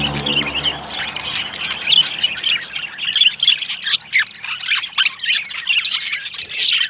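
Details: Yellow male and blue female budgerigar forming a pair and hunting for a nest; loud continuous warbling chatter of scratchy chirps and whistled squeaks.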